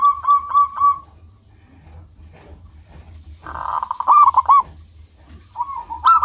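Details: Lively local zebra dove used to lure rivals: a rolling run of soft coos, then a rough noisy burst overlapping further quick cooing notes, ending with another short coo phrase; faint low hum throughout.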